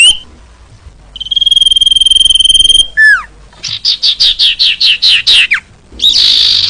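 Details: Song of a common iora, recorded to coax quiet caged birds: one long even whistle, a downslurred note, then about nine evenly spaced sharp chirps and a final buzz.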